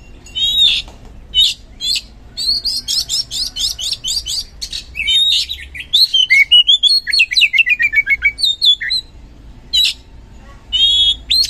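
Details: Oriental magpie-robin (kacer) singing vigorously, used as a lure to provoke reluctant birds into answering: fast varied whistles, rapid chattering bursts, and a long run of quick descending slurred notes, with hardly any pauses.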